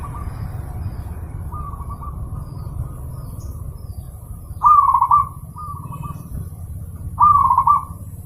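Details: Master recording of a zebra dove singing, used to train caged birds: soft cooing phrases, then two loud rippling trilled coos about two and a half seconds apart, each followed by a quieter note, with steady low-frequency hum behind.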